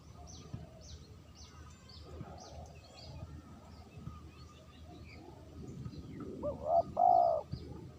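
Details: Many small birds chirp and twitter through most of the recording before a spotted dove, used as a lure, gives a short rising note and a longer steady coo at the end.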